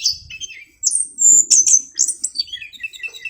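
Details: Orange-headed thrush singing clearly: a rapid burst of high sweeping whistles and sharp chirps, then a run of descending twittering notes, with soft flapping or rustling sounds beneath.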